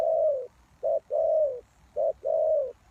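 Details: Decoy spotted dove used to attract wild doves. It calls close and clear: long coos that tail off downward, each preceded by a short clipped note, in a steady rhythm.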